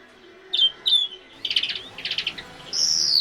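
European Greenfinch singing: a few bright whistled notes, then bursts of rapid buzzy trills, ending on a long, drawn-out nasal wheeze.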